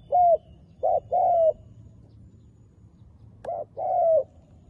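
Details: Spotted dove kept as a decoy to call in wild doves: two phrases, each a short coo then a longer, gently descending coo, separated by a silent gap of about two seconds.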